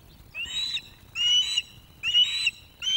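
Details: Female osprey NC0 on a webcam nest at Loch of the Lowes, 2024, food begging while a young male courts her with fish; loud, clear whistled notes of about half a second, repeated roughly every second.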